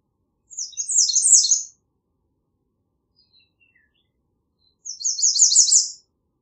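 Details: Two high, sibilant songs from an American redstart, about four seconds apart, each a quick run of repeated chevron-shaped notes that swells in volume; nothing else audible between them.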